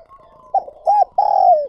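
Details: Spotted dove used as a lure for wild birds gives a short cooing phrase: a brief note, a rounded arched coo, then a long sustained coo sliding downward. Clean recording, with no other sounds.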